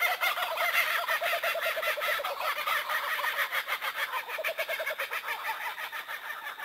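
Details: Kookaburra laughter in a long cackling bout: loud chuckling notes at first that break into quicker, choppier bursts as the chorus goes on.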